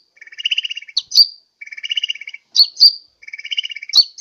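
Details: Sunbird lure call for attracting birds, Sukabumi, Pajampangan: three buzzy, rattling phrases, each followed by one or two sharp, high whistled chips, in a cycle roughly every one and a half seconds.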